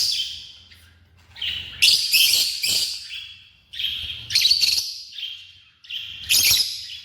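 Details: Shrill, high-pitched chattering from African lovebirds, coming in three loud raspy bursts of rapid chirps roughly every two seconds, with softer twittering in the gaps.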